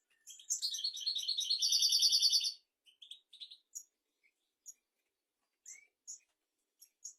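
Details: Goldfinch song for teaching goldfinches and canaries: jumbled high twitters build into a steady, rapid trill lasting about a second, then isolated sharp chips and a brief thin rising whistle.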